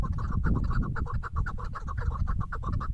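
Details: Female chukar partridge giving rapid, rhythmic clucks, roughly seven to eight notes per second, each short and mid-pitched, against heavy low-pitched background rumble.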